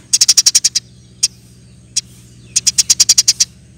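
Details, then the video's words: Eurasian tree sparrow in tight 'ngeroll nembak' song from a bird-training recording. A fast burst of seven bright chirps is followed by two isolated chirps, then a second burst of about nine chirps. A low hum runs throughout. "Burung gereja gacor nembak rapet full alasan"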